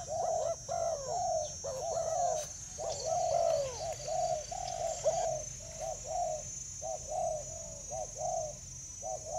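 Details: Spotted doves quarrelling over food in Vietnam, 24/7/19: rapid overlapping coos, hollow and bouncy, in uneven bursts that thin into spaced single notes, with a constant high-pitched hiss and faint low rumble behind.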